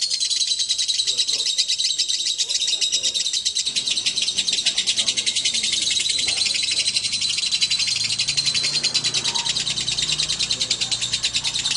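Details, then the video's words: Male and female lovebirds brought together, chattering continuously: a dense, unbroken stream of high, rapid, squeaky twittering with no pauses throughout. "Kicau burung//Jika raja dan ratu di pertemukan"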